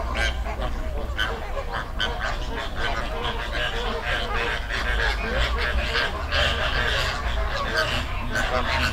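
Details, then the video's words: Flamingo flock standing in a river in the Dominican Republic, calling together; a constant chorus of nasal honks and grunts, irregular and overlapping, with low background rumble. "Sound Effect Of Flamingo Flock"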